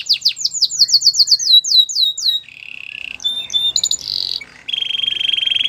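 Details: Belgian singing canary, said to seduce other canaries, sings fast repeated descending whistled notes, then a low buzzy roll, sharp upswept notes and a steady high trill.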